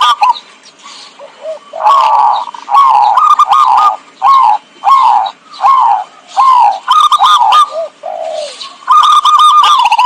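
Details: Zebra dove calls for luring birds into traps: a steady string of short rolling coos, each swelling then dropping in pitch, interspersed with faster trilled bursts, continuing with brief gaps throughout.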